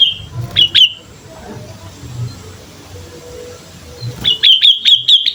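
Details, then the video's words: Sooty-headed bulbul singing vigorously as a lure, a short chirpy phrase at the start, a quiet gap, then a fast even series of about six bright notes, with faint background rumble. "pancingan suara burung kutilang gacor"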